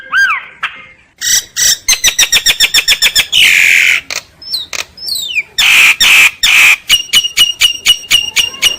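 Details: Common myna singing in sharp high clicks and rapid ticking series, raspy squawks, a few descending slurred whistles, and evenly repeated high pulsed notes.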